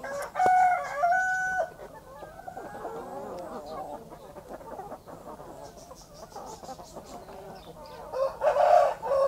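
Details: Backyard country hen with chicks in the morning: loud, harsh, ringing calls open the recording, followed by a steady murmur of low clucks and chatter, then another sharp burst of calls near the end.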